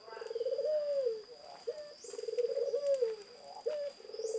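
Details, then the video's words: Energetic zebra dove song with rolling, rapidly pulsed coos that rise slightly then drop away, each one introduced by a brief upslurred note. A constant high-pitched hum runs through the background. "Burung Perkutut Gacor"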